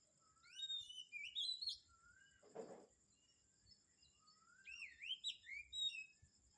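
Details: Birds sing in the morning at Kamphaeng Saen with curling whistles and quick high chirps in two bouts. A brief noisy rustle breaks in between them, and a constant thin hum continues underneath.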